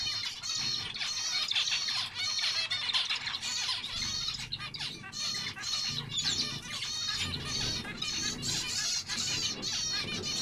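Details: Zebra finch (Taeniopygia guttata), calls.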